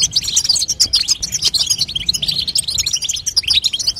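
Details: Female European goldfinch calling to push a young bird into song, a ceaseless stream of high, thin, rapid twittering chirps, busy and overlapping, over a faint low hum.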